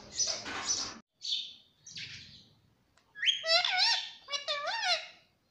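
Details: Pet rose-ringed parakeet talking, said to say "mummy papa": a harsh noisy burst, short hissy notes, then harmonic speech-like syllables with rising and falling inflections, ending in two quick voiced phrases.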